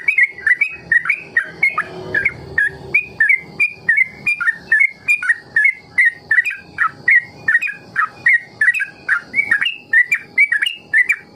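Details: Trucuk, or sooty-headed bulbul, in an uninterrupted ropel: fast chains of liquid, warbling notes that dip and rise, about two phrases a second, for young birds to copy.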